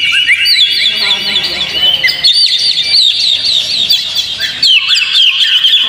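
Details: Oriental magpie-robin singing, used to coax a kept magpie-robin into song: quick chirps and whistled slurs packed closely, a few lower harmonic notes at the start, with loud bursts and brief dips in the flow.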